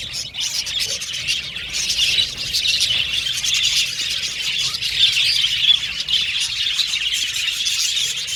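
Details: Budgerigars chirping, described as contact calling for companionship; dense, continuous high chatter of overlapping chirps and squawks with no pauses, steady in loudness throughout.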